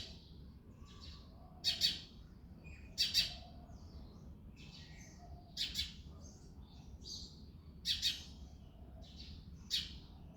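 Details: Male house sparrow chirping in the early morning in February: sharp, high cheeps, often doubled, recurring every second or two alongside softer twitters over a low ambient hum.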